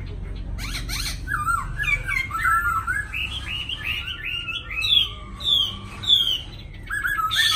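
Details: Pair of caged black laughingthrushes from Hanoi, Vietnam, in 'lai dai' song: clustered chattering notes give way to climbing, rippling whistles that rise higher and end in sharp descending slurs, over low background rumble.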